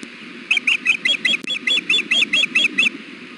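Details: Nesting female osprey fussing to be fed while her mate stands on the nest in 93-degree heat: twelve sharp, high, squealing chirps in quick even succession, each bent up then down, over a soft low background hum.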